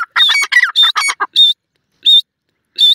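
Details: White pheasants calling: loud harsh squawking bursts in quick series, then single strident notes with a high ringing tone repeated about every second, clean background.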